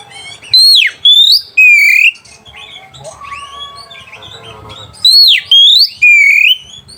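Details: Lure song of an Oriental magpie-robin meant to provoke rival birds and arouse breeding: a phrase of three loud whistled notes, a quieter warbling stretch, then the same three-note phrase again.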